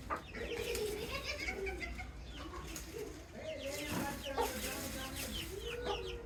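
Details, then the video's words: Baby chicks giving short high chirps, some sliding downward, scattered across the clip over a steady low hum, with lower warbling sounds and a few louder thuds. "Nature Audio Featuring Cute Little Baby Chicks"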